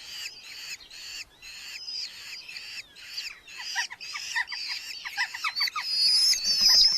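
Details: Red-footed falcon eyases in a Hungarian colony nest box, July 2025; harsh rasping squawks repeated rapidly, growing louder and more frantic, ending with a shrill high whine.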